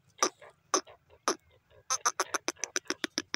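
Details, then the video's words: A francolin (teetar), one of a pair, gives three loud, harsh notes about half a second apart, then a fast run of about ten clipped, grating notes. "teeter bird teetar voice"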